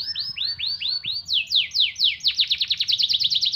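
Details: Singing canary carrying white-eye (pleci) material in its song: a series of arched slurred notes about four per second, then steeper down-sweeps that speed up into a rapid ringing trill.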